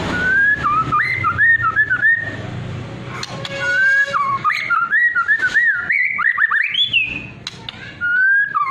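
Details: Lure song of a white-rumped shama in trotol/pastol style, meant to make other birds respond: long, varied whistled runs with rippling trills, upward sweeps and fast chattered notes, a brief buzzy phrase midway, steady low hum beneath.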